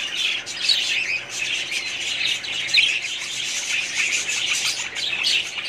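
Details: Budgerigars in a colony, recorded in 2017, giving a continuous dense chorus of overlapping chirps, squawks and warbling chatter, with brief bright whistled notes standing out near one and three seconds.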